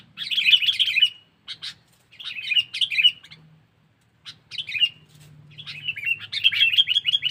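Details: Sooty-headed bulbul's 'pikat cengkeram' lure call for attracting wild bulbuls: short bursts of quick, bubbling chirps separated by silent gaps, building to a longer run of rapid twittering at the end.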